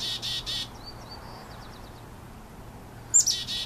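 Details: Chickadees calling at a nest give high, buzzy broadband calls in bursts at the start and end, with thin whistled notes and short chips between; a faint low hum underneath.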